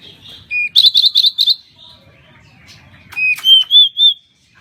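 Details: Pied bushchat, known as kacer mini, in an energetic tutor recording: a burst of four quick harsh buzzy notes, a short silence, then three or four clear, even whistles at a steady pitch.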